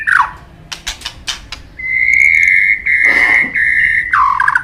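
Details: White-rumped shama in steady song with many inserts: scattered sharp clicks, then a long, level, pure whistle held for about two seconds, broken by a brief noisy burst, before a lower wavering whistle.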